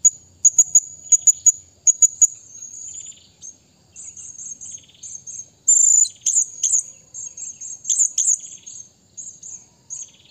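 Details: Calls of a blue-crowned hanging parrot summoning a rival: rapid pairs of piercing high chips, then a long stretch of shrill, buzzy twittering notes run close together, loud and very high-pitched throughout.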